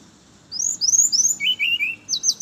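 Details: Brown-chested jungle flycatcher singing in the morning, played as a lure for other birds of its kind: a sweet, high whistled phrase of slurred, rising notes, then a lower warbled run and a final high flourish.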